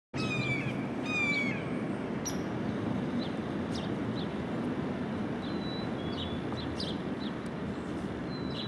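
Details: A red-tailed hawk, soaring, gives two hoarse, falling screams in the first two seconds over steady wind, with faint high chirps from small birds afterward.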